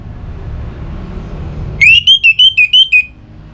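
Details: Orange-headed thrush, a cage bird from Singaraja in northern Bali, excited and in breeding condition, calling out to a rival with one quick phrase of six clear, slightly wavering whistled notes delivered in rapid succession after a low background rumble.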